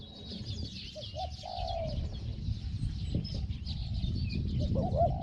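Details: Spotted dove used as a decoy in Thailand to lure wild doves, described as having a small voice; a few soft, low coos come through heavy rumbling background noise, with faint high chirping from other birds.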